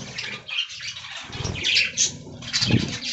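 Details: Several budgerigars feed on fresh green leaves, keeping up dense, continuous high chirping and warbling. Low fluttering and rustling run underneath.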